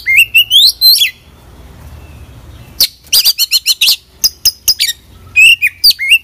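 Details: White-rumped shama in full song packed with varied phrases: loud rising whistles, then a quiet gap, then rapid sharp chattering notes and more slurred whistles, with a low hum underneath.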